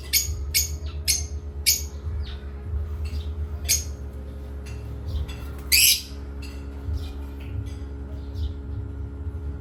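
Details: Pet parrots at playtime give a quick run of sharp chirps, then scattered softer calls and one louder rasping squawk, over a persistent low hum.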